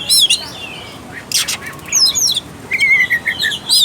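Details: A short stretch of Oriental magpie-robin song, used as a lure for a bird that rarely sings: scattered bright chirps and slurred whistles, followed by a steady, level, buzzy trill in the second half.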